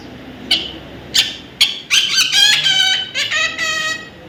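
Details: Baby parrot calling indoors: three short sharp chirps spaced about half a second apart, then longer harsh harmonic squawks running together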